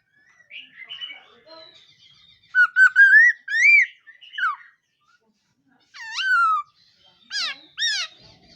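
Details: Black-throated laughingthrush singing in the morning during voice training: loud, clear whistled phrases that swoop up and down, in bursts around the third, fourth, sixth and eighth seconds, after soft, quiet warbling at the start.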